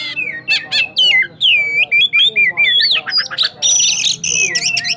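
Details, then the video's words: Kacer cakrawala from Sukabumi, a white-rumped shama, singing a rapid rolling 'roll tembak' song: fast varied whistles, slurred sweeps and harsh rattling bursts delivered almost without pause. "Burung kacer cakrawala Sukabumi... Suaranya roll tembak"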